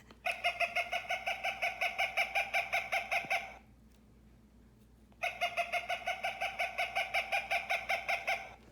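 Cooper's hawk giving a harsh, nasal cak-cak-cak, nearly three notes a second, in two runs of about three seconds split by a short pause.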